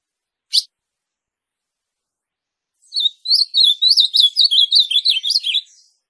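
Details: Ultramarine grosbeak song, presented as a song to rouse other grosbeaks: a single sharp chip, then a quick, high, sweet warble of about a dozen slurred rising and falling notes over three seconds.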